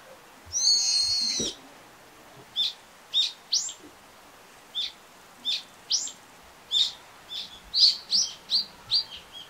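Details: Brown-eared bulbul calling: a loud, harsh, shrill screech lasting about a second, then a run of about a dozen short, sharp, high chirps at uneven intervals, over a quiet background.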